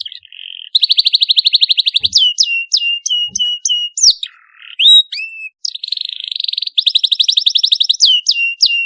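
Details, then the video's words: Canary song used to stimulate young birds learning to sing: a steady whistle, rapid buzzy trills, sharp falling slurs, a low soft dip, then more trills and repeated downslurred chirps. "CUIT CUIT PALING AMPUH MERANGSANG BUNYI PAUD BELAJAR BUNYI"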